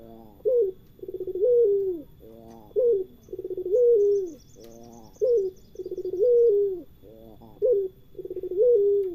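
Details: Spotted dove, known locally as puter pelung, giving a steady run of paired phrases: a brief stuttering coo, then a drawn-out wavering coo that slides down, repeated about four times at an even pace.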